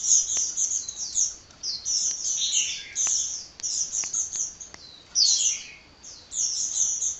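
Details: Nonstop hummingbird song with high, sharp twittering phrases and rapid chirps, some sliding downward. A few faint clicks are scattered through the recording, and a brief lull comes before the last phrases.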